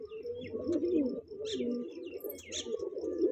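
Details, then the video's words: Low, steady, rumbling coo from a young kanta kash breeding pair of pigeons, with occasional faint scratches above. "pigeon sound"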